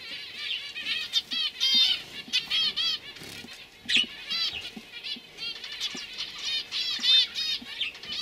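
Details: Young canaries from 2015 producing quick rolled trills and sweeping whistles in short overlapping phrases, with soft fluttering and a woman speaking quietly nearby.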